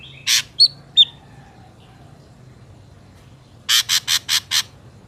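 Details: Ashy drongo calls played as bait to trap wild drongos: a short harsh note and two thin whistled chips, a pause, then a fast run of five rasping squawks.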